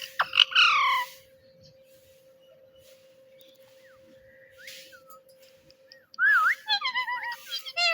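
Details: Pet parrot saying "Mitthu", a South Asian pet name for parrots; one loud falling harmonic phrase at the start, long near-silence with faint chirps, then a wavering, warbled run of voice-like notes.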